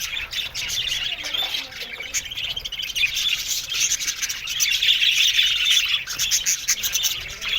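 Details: Australian budgies chattering together in an aviary, a steady wall of high, overlapping twitters and warbles that swells louder around the fifth second and again near the end.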